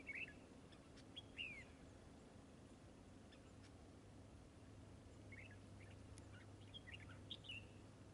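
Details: Red-whiskered bulbul at a trap, described as fighting and fanning: brief chirpy whistled notes at the start, then a looser run of quick warbled phrases later, with a steady low hum underneath.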